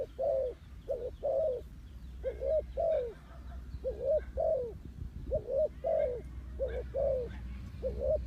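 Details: Spotted dove used as a decoy to lure wild doves during bird trapping, outdoors in the countryside, cooing in soft, mellow paired and tripled notes, phrases repeated every second or so, with faint background noise.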